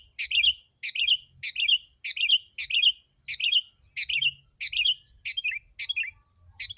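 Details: Persistent sooty-headed bulbul, used to draw in wild birds, repeats loud, chuckling whistled phrases at a regular pace of about one and a half per second, closing with softer down-slurred notes.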